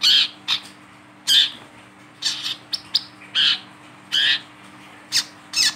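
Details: Wiceh singing eagerly while held in the hand, used as a lure for wild wiceh: repeated loud harsh high bursts roughly every second, mixed with shorter chirps and thin notes, faint low hum beneath.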